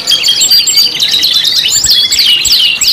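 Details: Canary lure song made of five canaries combined: crowded shrill chirps, short whistled slides and descending swoops, steady and loud throughout.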